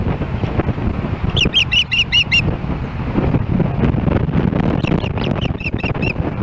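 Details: Osprey at a Hellgate Canyon nest in Missoula, Montana, July 4, 2016, reacting to another osprey approaching: a quick series of about six piercing whistled chirps, then a fainter repeated run, with wind noise throughout.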